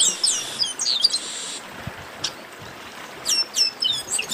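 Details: Chestnut-capped blackbird delivering an esquenta song. Quick high, downslurred chirps in an opening burst, a brief lull with a soft click, then more rapid sharp chirped notes.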